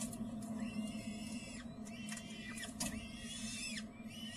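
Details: Peregrine falcon at feeding in spring, giving arched, squealing notes that rise then fall, several drawn out, with a few sharp clicks and a persistent low hum in the background.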